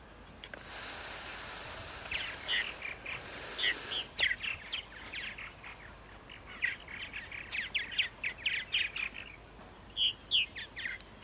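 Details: Several purple martins calling at 8:30 on an April morning in Center Moriches, Long Island, New York. A burst of hiss opens, then liquid, gurgling chirps come in quick bunches, growing busier toward the end.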